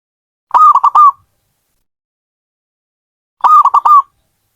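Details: Two loud, staccato cooing phrases from a zebra dove, each a quick run of choppy notes lasting under a second, separated by a three-second silence.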